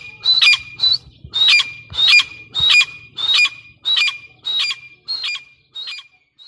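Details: Grey francolin chicks during feeding repeat harsh, buzzy squawks with a whistled ring, ten calls roughly every 0.6 seconds that fade toward the end. A low hum runs underneath.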